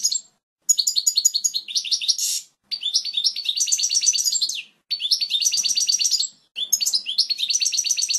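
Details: Goldfinch song for training fledglings: four phrases of rapid, bright twittering with jingling repeated notes, each phrase separated by a brief pause.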